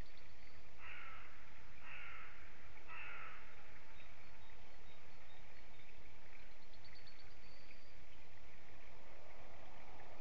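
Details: White-tailed eagle at sunrise on 20 March 2016, heard via a live stream: three short, harmonic yelping calls about a second apart early on, then faint thin notes over steady broadband background noise.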